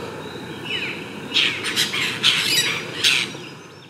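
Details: At their mud nest, Apostlebirds (Struthidea cinerea) utter a quick series of loud, rasping broadband calls about every half second after a soft downslurred note, over low outdoor hiss.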